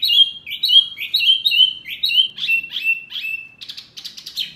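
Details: Mini wambi bird, noisy and provoking toward other birds, gives a burst of whistled, down-slurred chirps, then a few rougher buzzy notes.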